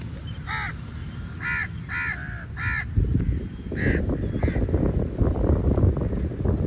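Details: Angry crow calling while feeding on meat: harsh, nasal caws in a quick irregular series of about six, then ceasing as low rumbling background noise grows louder.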